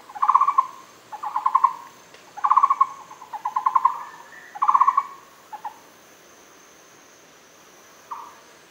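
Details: Muller's barbet recorded at Fushan: short bursts of rapid, knocking pulsed notes in a mid register, each burst under a second, repeated about once a second, then trailing into a lone final note; faint steady high hiss behind.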